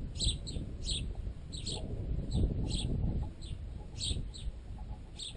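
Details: Sparrows, adults and recently fledged juveniles still fed by their parents, pecking at a piece of baguette wedged in a tent guy line. Short, high chirps repeat in quick irregular bursts over a loud low rumble and knocking from the pecking.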